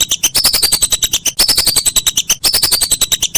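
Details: Whistling duck calls used as a master recording for training songbirds: a fast train of sharp, high chirping notes, about ten per second, with downward-sliding whistles in bursts roughly each second.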